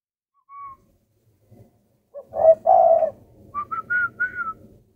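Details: Spotted dove kept by a breeder in Vietnam: a brief whistled note, then a loud burry low coo followed by three or four short rising whistled notes climbing higher; faint indoor background.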